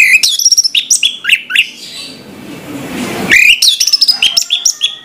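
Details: Orange-headed thrush singing in the morning, pouring out quick, varied whistled notes and slurs, pausing amid a soft hiss, then resuming with a rising whistle and more rapid phrases.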